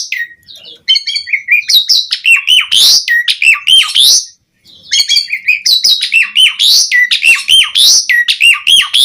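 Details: Javan pied starling singing in a pumping style, meant as a lure to start other starlings singing: fast, varied chatter of whistles, squeaks and harsh notes about four a second, pausing briefly midway before resuming just as densely.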